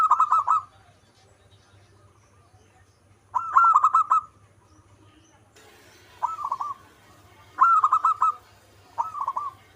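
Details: Zebra dove of local stock giving short bursts of rapid, rolling coos, five phrases spaced a few seconds apart, over a faint low hum.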